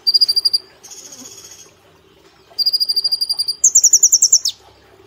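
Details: Caged brown-throated sunbird delivering rapid trills: a fast burst of sharp high notes, a softer smeared phrase, then two long rattles of clipped notes, the last one higher and ending in a downward slur.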